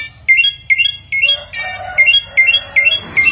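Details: Chinese hwamei, a bird able to imitate many different sounds: a rapid series of bright, ringing two-part notes repeated about every half second, with a deeper harmonic phrase partway through and a faint low hum beneath.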